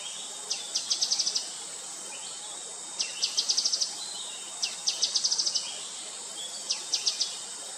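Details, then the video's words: Grey-headed canary-flycatcher repeating a high phrase four times: an introductory slurred note leading into a fast run of sharp ticking notes, with steady insect buzz behind. "Gray-headed Canary-Flycatcher calling"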